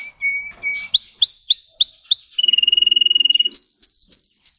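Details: Russian canary bred for singing: repeated swooping upslurred whistles about four per second, a fast pulsing trill, then long level high whistles.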